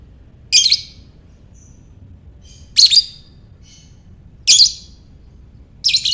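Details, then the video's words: Ngekek calling of a lovebird, meant for baiting other lovebirds into calling: four piercing, raspy chirp bursts spaced roughly every one and a half to two seconds, with soft short squeaks in the gaps. "Lovebird Ngekek"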